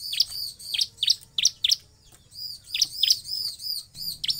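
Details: Bar-winged Prinia giving sharp, very high chirps in quick bursts of two or three, about three notes a second, over faint low background hum; a recording used as a lure to prompt other prinias to sing.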